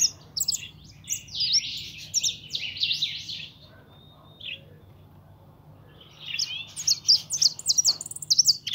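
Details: European goldfinch, a young kept pintón, delivers a long stretch of bright, rapid twittering and buzzy trills, pauses with a few soft chirps, then resumes with a quick volley of sharp, high notes.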